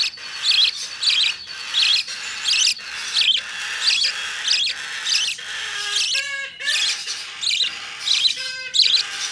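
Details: Hand-tame young opaline budgerigar, 25 November 2019, repeating grating, high-pitched chirps roughly once per second, interrupted by a couple of short, lower, ringing squeals near the end.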